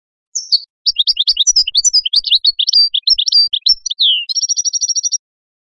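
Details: European goldfinch song meant to train songbirds and stimulate goldfinches to mate for breeding: a fast, high, varied twittering run of chirps and short whistles, a downslurred note, then a rapid even trill ending abruptly.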